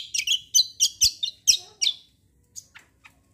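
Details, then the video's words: Cucak singing a kombo roll tembak style song, a burst of sharp, high chirped notes repeated rapidly, about two each second, then a few scattered faint chirps. "CUCAK KOMBO KECIAL KOMBO ROLL TEMBAK GACOR COR"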